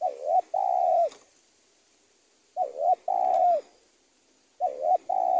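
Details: Spotted dove cooing, a recording used as tutoring audio for training birds: paired mid-pitched coos, a short wavering note then a longer steady one, repeated three times about every two seconds with quiet gaps.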